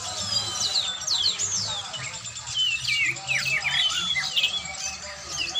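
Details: During a training session an oriental magpie-robin sings dense, varied whistles, trills and downward-slurred notes almost without pause, with a constant low hum underneath.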